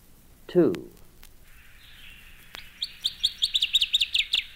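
Northern Waterthrush song: loud, sharp, emphatic notes tumbling quickly in a ringing, accelerating series. A spoken announcement comes first.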